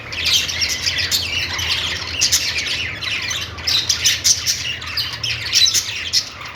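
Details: Budgerigars, kept as pets, making happy sounds: continuous busy chatter of overlapping high chirps, squeaks and warbles with no pause, over a low steady hum.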